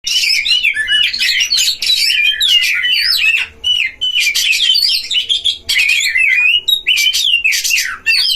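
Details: Caged Oriental magpie-robins dueling at a breeding pen, played as a lure to quickly rile other magpie-robins; rapid dense warbling of whistled slurs and buzzy chatter, almost continuous with brief pauses near 3.5 and 8 seconds.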